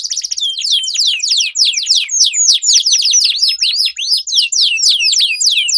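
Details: Dueling canaries sing a long rolling song meant to coax silent canaries into singing: fast series of sweeping, downslurred whistled notes, about three or four per second, packed closely with brief pauses.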